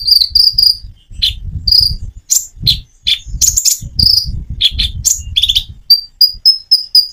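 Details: Common iora singing with natural pauses, meant to coax birds that seldom sing into replying; dense high chirps and whistled notes in rapid runs, ending in a string of evenly spaced short pips, over a low rumbling background.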